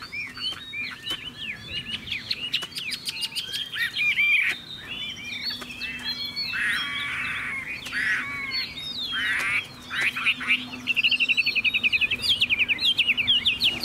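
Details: Chinese hwamei in full song: dense mix of slurred whistles, rapid trills and harsh buzzy bursts, ending in a quick regular run of repeated notes, with a faint steady low hum behind.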